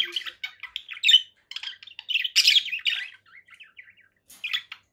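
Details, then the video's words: A conure chatters in quick bursts of squeaky chirps and harsh, scratchy squawks, high-pitched and broken by brief pauses, with one louder screechy flurry midway. "relaxing conure parakeet sounds"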